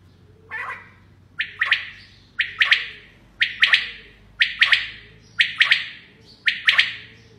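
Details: A female common quail gives harsh, raspy double and triple notes about once a second. The notes are grating and fairly high, over a quiet background.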